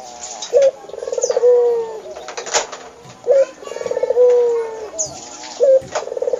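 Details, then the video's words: Pet Barbary dove calling eagerly: a short abrupt note, then a rolling, pulsing coo that swells and fades, repeated three times in a regular rhythm with faint clicks between. "Burung Puter gacor auto nyaut"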